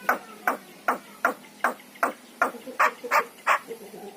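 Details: Yellow-eyed Javan myna song for prompting kept mynas to sing: a measured run of about eleven hoarse, clipped notes, roughly two and a half each second, growing louder toward the end.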